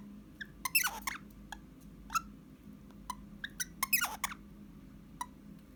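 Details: Pet Eastern rosella in a room, 29 January 2021, giving scattered short whistled notes broken by two loud chattering bursts, against steady low background hum.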